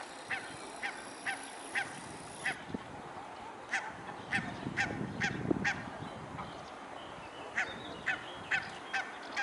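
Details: Mute swans on 21 May 2015 at 12:14, a steady series of brief nasal calls repeated roughly every half second, amid constant rushing background noise and a low rumble midway.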